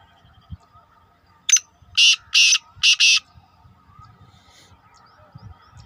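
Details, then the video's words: Black francolin calling: a single harsh broadband note followed by three loud, grating, buzzy bursts in quick succession, with a short gap before the last pair, over quiet low rumbling background. "Kale teetar Ki Awaz"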